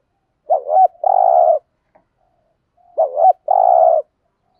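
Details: Decoy spotted dove cooing thúc gù, the urging style, with a deep giọng thổ voice: two identical phrases about two seconds apart, each a wavering double note running into a long steady low coo.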